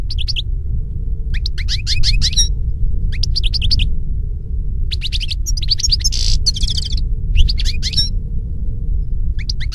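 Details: A wild European goldfinch sings in nature, giving bursts of rapid liquid twittering and short buzzy trills, each phrase a second or so long and separated by brief pauses, against a constant low background rumble.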